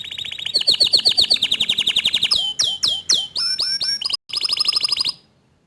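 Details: Young canary responding after hearing another canary sing, with steady rapid trills, then separate upslurred whistles and rising notes, a brief gap, and a final fast buzzy trill that stops suddenly.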